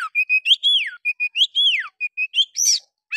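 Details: Oriental magpie-robin in fighting, agitated song meant to provoke other birds into spreading their tails: clear whistled notes, steady level tones alternating with loud downslurred whistles and short buzzy bursts, repeated in a quick run.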